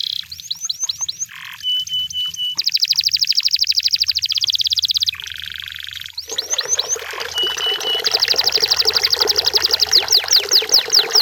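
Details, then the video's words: Canary in the wild sings a varied medley of sweeping slurred notes, short buzzy bursts, steady piping tones and long rapid trills, ending in a dense chattering roll with lower rattling undertones. "The Sound of Canaries in The Wild!"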